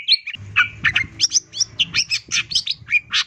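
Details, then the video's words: Training song of a long-tailed shrike for caged birds, in a 'full isian tambakan' style from 2022: quick, uneven chatter of sharp chirps and short whistles over a faint low hum in the background. "MASTERAN CENDET GACOR FULL ISIAN TAMBAKAN"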